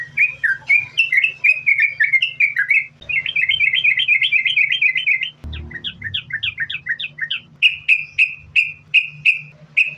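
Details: Yellow-vented bulbul giving a chatty, unbroken 'sambung ropel' song meant to lure others into singing: rapid bubbly warbled runs, then quicker paired notes, closing with evenly spaced bright whistles; faint hum and a brief thump.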